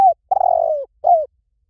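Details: Spotted dove phrase: the tail of a falling note, then a drawn-out purring coo sinking in pitch, and a short closing coo that dips downward; clean, quiet background.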